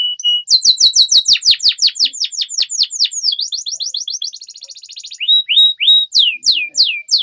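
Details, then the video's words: Long canary song for teaching young canaries: a rapid run of repeated downward-sweeping notes, a fast chattering trill, then slower loud descending whistles. "MASTERAN Burung KENARI Gacor Panjang || Suara Pancingan KENARI Paud Agar Cepat Gacor"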